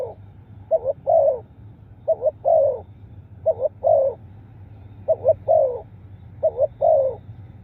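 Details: Spotted dove calling in a series of six phrases, quick double notes leading into a fuller, slightly descending coo, with short gaps between and a constant low hum underneath.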